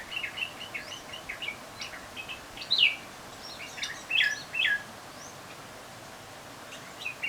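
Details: Bulbuls on a balcony giving a scattered series of short, bright chirps and slurred whistled notes, a few louder sharp calls standing out over a steady hiss of outdoor background noise.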